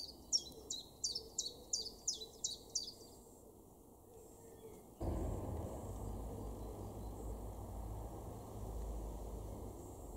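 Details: Common chiffchaff in a garden in Weener, East Frisia, northwest Germany, April 2021, sings seven high, clipped notes in a quick, even run, then stops; a steady low rumble of wind or distant traffic fills the rest.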